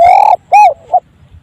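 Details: Spotted dove giving an unusual, uncommon call: a long steady hooting note, then an arched rise-and-fall hoot, then a short soft final note, all low, loud and tonal with clear harmonics, over a quiet background.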